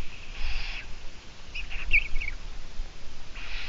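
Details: Eurasian eagle-owl on a Latvian livestream, 17 June 2017 at 12:14: three soft, breathy hisses about one and a half seconds apart, with a short high whistle from another bird in between.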